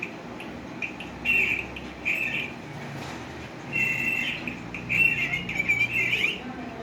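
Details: Caged green pet parrot talking: several short raspy chattering bursts with squeaky whistled notes, separated by pauses, over a low background hum.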